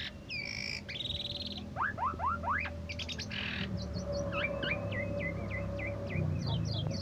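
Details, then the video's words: Asian pied starling that took first place at an August 17 competition opens with whistles and a buzzy burst, then gives a quick volley of upward-swept notes and a long sequence of short hooked whistles above a steady low hum. "Jalak Suren Gacor Suara Merdu"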